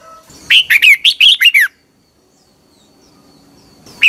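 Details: A red-whiskered bulbul sings in the morning, 2021, as a training recording: one rapid phrase of about seven bubbling, slurred whistles, then near silence until one more note begins at the end.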